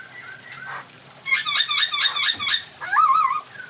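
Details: Masked laughingthrush giving a mating call to stir breeding drive: a run of rapid, raspy chattering notes ending in a wavering squawk, faint softer calls before it.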